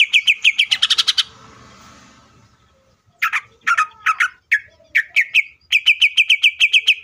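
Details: Greater green leafbird singing energetically to provoke other leafbirds into song: quick bursts of bright, repeated chip notes, a brief rustling pause, then harsh slurred notes and another rapid, evenly spaced run of ringing notes.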